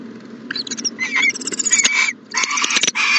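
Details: Owl in a nest box during the morning, making loud, dense rasping and chittering hiss bursts almost without pause, with a low hum behind.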